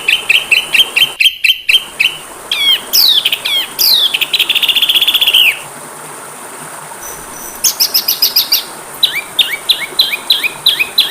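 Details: Oriental magpie-robin (kacer) training song, varied and full of mimicked phrases: quick repeated high whistles, a long buzzy descending note, then a run of sharp rising chirps repeated about twice a second, with a faint background hiss.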